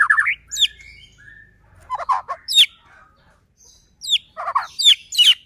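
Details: White-rumped shama in full song, used as a lure to provoke other shamas into singing: a rapid, varied phrase of sweeping whistles and bursts of sharp, buzzy notes in short clusters, with brief pauses between.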